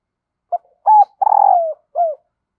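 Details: A hen dove gives her excite-the-male call, said to make wild doves respond quickly. A single clean phrase: a brief note, an arched coo, a drawn-out pulsing coo falling in pitch, and a closing curved note.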